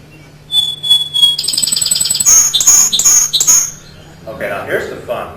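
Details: One individual Song Sparrow, a male with eight different songs, sings one of them: a clear, steady whistle, then a fast buzzy trill and a run of bright, sharp notes; a man's voice follows.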